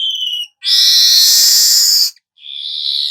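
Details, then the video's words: Golden-headed weaver singing, a recording suited for tutoring songbirds: a thin high whistle, a long harsh hissing buzz of about one and a half seconds, then the whistled tone returns. "suara manyar kepala emas cocok buat Masteran"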